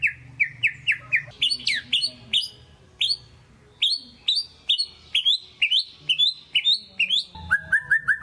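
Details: Pet white-rumped shama in intense song meant to provoke a silent shama: rapid series of short, bright, high chirps repeated about twice a second, a brief burst of harsher notes, ending in lower quick whistles.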